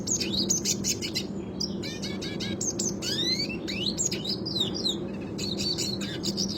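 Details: Red Siskin in classic rolling song, used to train other birds: bursts of high rattling trills broken by clear rising whistled slurs and buzzy twitters, with a constant low hum behind.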